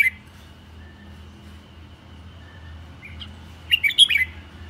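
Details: Aggressive decoy Red-whiskered bulbul, turning wildly while singing; after a quiet stretch with a faint hum, a short lively burst of clear, bouncing whistled notes near the end.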